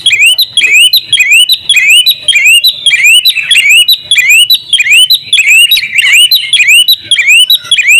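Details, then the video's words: Champion oriental magpie-robin singing with an open beak in full-fill ngobra style for tutoring. The song is a long, steady series of bright rising whistled upslurs, about two per second, each with a high overtone, loud and clear throughout. "masteran kacer juara buka paruh full isian ngobra"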